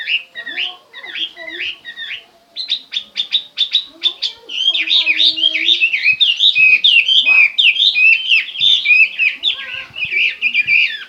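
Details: Chinese hwamei singing: a rich, varied run of loud whistled phrases, first short separate notes, then a fast rapid series of clicks, then a long continuous warbling stream of rising and falling slurred whistles.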